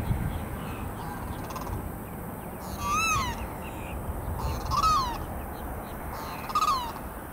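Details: Limpkins calling at the Celery Fields, Sarasota, Florida: three loud, harsh, wailing cries that rise then fall, about two seconds apart, over a low rumble of background noise.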